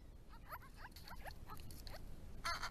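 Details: Wild Grey-crowned Babblers visiting a pond on a property, a burst of rapid slurred chatter notes followed by a harsher, noisy sound at the end, low background rumble throughout.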